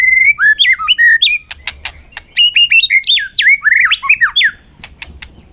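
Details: White-rumped shama singing for a contest in the afternoon sun: loud, varied whistles and looping warbles flowing almost without pause, broken by a few sharp clicks midway.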